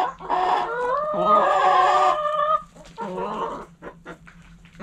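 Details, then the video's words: Backyard hens feeding, giving long, loud, drawn-out nasal cackles followed by a shorter call and scattered soft clucks and pecking clicks. "Hens Clucking"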